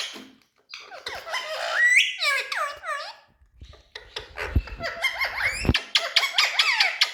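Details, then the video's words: Green ringneck parakeet kept tame as a talking pet, chattering in rapid squeaks and curling whistled notes, with a rising squeal near the start and low thumps and handling noise partway through. "Tame All Talking🌷Birds Ringneck Green Parrot"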